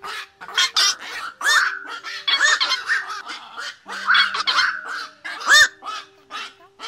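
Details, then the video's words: Black-crowned night herons gathering the flock, used to lure birds into night nets in 2024: hoarse, yelping croaks in overlapping runs, repeated curved squawks, and a constant faint low drone. "Tiếng Vạc Gọi Bầy"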